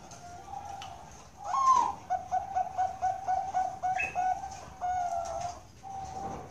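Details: Bangkok zebra dove kept at a bird farm in Kroya, Cilacap, Central Java. The song opens with a rising, swelling note, then eight clipped staccato coos in rhythm, and ends on longer, softer trailing notes. Light room echo.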